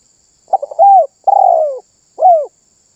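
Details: Single full phrase of spotted dove 'manggung' song, said to set off other birds: a quick stammering lead-in, a drawn-out descending coo and one short, rounded closing note, with a clean, quiet background.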